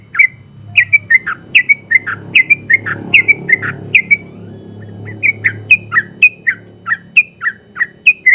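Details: Sooty-headed bulbul, a contest champion in the general class, in long rapid song used as a tutor recording for training other birds. Clear whistled phrases repeat in quick succession, with a brief pause midway, over a low rumbling background.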